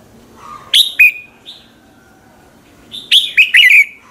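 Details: Red-whiskered bulbul in morning song used as a training lure: a couple of sharp, bright whistled notes, a short pause, then a fast warbled phrase of several slurred, descending chirps.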